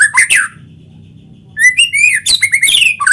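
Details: White-rumped shama singing actively, used to lure other shamas into song. A brief loud phrase, over a second of quiet, then a fast string of clear whistled slurs with crisp chips and buzzy notes.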